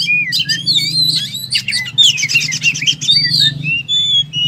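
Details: Oriental magpie-robin in 'tarung' fighting mode spilling out its varied material: a fast jumble of sweet whistled slurs, high twittering and a grating buzz in the middle, with a low hum underneath.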